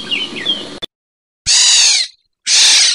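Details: Black-naped oriole, known in Tagalog as kilyawan; after a few soft whistled notes come two loud harsh, nasal, broadband calls, each about half a second long with a slightly falling tone, separated by silence.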